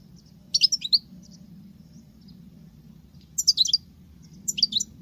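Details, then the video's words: Female European goldfinch, said to sing like a male, giving short twittering bursts of high notes separated by pauses of about two seconds, with a faint low hum beneath. "Femelle chardonneret qui chante que le mâle l c'est bizarre !!!"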